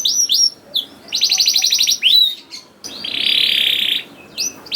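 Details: Canary singing, played as a lure for young canaries so they start singing; a few high slurred notes, then long buzzy rattling trills held about a second each, with short sweeping whistles between.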